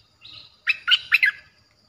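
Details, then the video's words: A soft, buzzy lead-in followed by a crisp four-note chirping phrase from a Streak-eared bulbul, whose fierce song is played as a lure for wild birds. "เสียงนกดอกแตงEp.98เสียงดุดัน เปิดต่อนกป่าตัวดุๆ"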